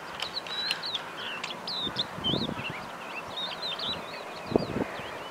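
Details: Lark singing at Tel Shikmona on 24 April 2022: a continuous, fast run of high twittering, slurred whistled notes, rising and falling without pause, with a few low rumbling noises and soft thumps in the background.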